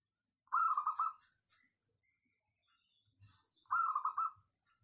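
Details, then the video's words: Local wild zebra dove, described as having a crisp, dense voice suited for luring other doves. Two bursts of rapid, rolling, pulsed cooing about three seconds apart, with near silence between and a few faint low thumps. "Perkutut lokal suara cristal padet cocok buat pancingan"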